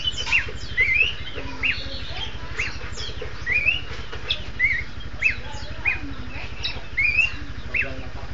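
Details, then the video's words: Duet by Horsfield's babblers: short rising whistled phrases repeated roughly every second, with softer chirps between them, over a constant low droning hum. "burung kicau duet pelanduk semak"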